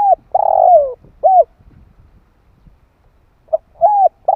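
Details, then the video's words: Spotted dove, 2021 recording for stimulating decoys and training young birds: a long gravelly downslurred coo and a short curved coo end one phrase, then after a pause a soft note and arched coos begin another. "Chim cu gáy gọi kích mồi dợt bổi hiệu quả"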